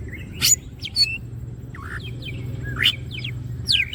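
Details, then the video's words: Green cucak, a greater green leafbird, wings open and singing in gacor style: sparse sharp high chips alternating with short descending and upslurred whistles, with pauses between bursts, and low steady hum behind. "green cucak birds open wings siip and gacor materials"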